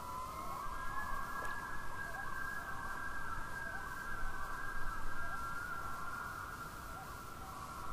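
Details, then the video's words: Common loons on an Adirondack lake give a sustained, quavering tremolo, a rapid wavering laugh held steady at a mid-high pitch for several seconds, over a soft background hiss. "Loons Tremolo"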